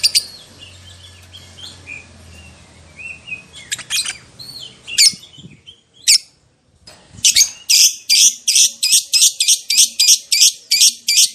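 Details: Lovebird from a lure recording meant to make other lovebirds respond: scattered high chirps and short squeaks with quiet gaps, then a rhythmic run of loud, harsh high notes about three per second.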